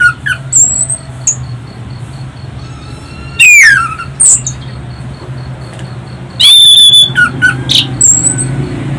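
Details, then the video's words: Orange-headed thrush in full song, used as a lure to prompt other birds to sing, loud with shrill, melodious whistling: scattered sharp whistled notes, a slurred descending phrase and bright chirps, over a steady low indoor hum. "Pancingan anis Cendana | Anis kembang | Anis macan"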